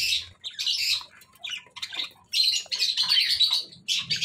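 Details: Pet budgerigars chatter with their natural voice in bursts of high, scratchy warbles and chirps.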